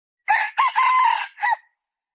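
A red junglefowl hen gives a harsh, crow-like phrase of four hoarse notes: two short, one long and drawn out, then a short final note, over about one and a half seconds.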